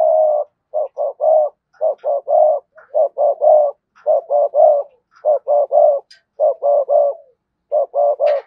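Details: Decoy spotted dove cooing in sa gù and thúc bổi styles: low, hoarse coos delivered in tight clusters of two or three, repeated steadily with short pauses between groups, background quiet.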